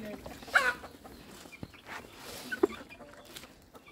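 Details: White yard chickens in a coop area, hens clucking: a few short clucks and a brief bright squawk near the start, another sharp note later, over low background noise.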